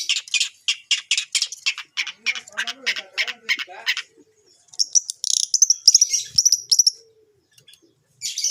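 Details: Long-tailed shrike song challenging rival shrikes. A rapid string of buzzy, scratchy notes is followed by a brief pause, then a burst of high, thin, trilled phrases and a final harsh note.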